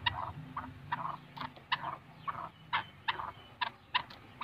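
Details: Black francolin giving a repeated sequence of clipped, rasping notes, roughly one or two per second, each sharp and harmonically rich, above faint low background hum.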